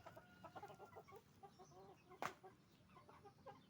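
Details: Chicken farm flock of roosters and hens: overlapping short clucks and brief nasal notes from many birds, with one sharp loud bang midway and a steady low barn hum underneath.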